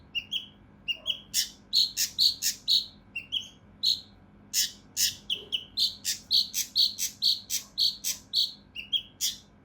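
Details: Mountain leaf warbler (cucak rante mas), harsh dense 'tembakan' style for training competition birds: a long, rapid series of sharp chirps alternating with slightly lower whistled notes, nearly continuous throughout.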